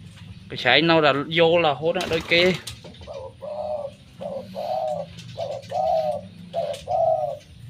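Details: Dove offered for sale, said never to stay quiet and to call all day with a big voice: a man talks briefly in Khmer, then a run of about seven short, low, even coos follows at steady spacing.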